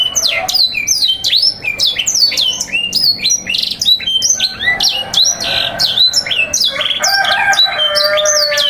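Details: Domestic canary singing 'sanger' material meant to coax young canaries into full song: fast repeated high sweeping notes in continuous rolls, moving into lower, steadier buzzy trills near the end. Indoors.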